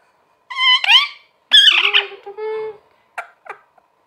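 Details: Talking parrot gives two drawn-out, harmonically rich utterances, the second buzzier and trailing into a lower steady tone, followed by two brief faint clicks or syllables.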